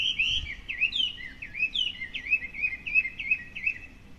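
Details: Hwamei singing each morning from a garden hedge in Japan, mostly hidden from view: a lively, varied stream of loud, slurred whistles, rising and falling, delivered rapidly and continuously.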